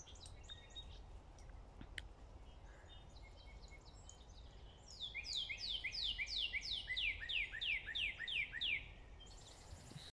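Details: Loud northern cardinal singing in the morning among other songbirds: a fast series of about thirteen clear whistles, each slurring from high to low. Softer chirps from other birds come first, over a steady low background rumble.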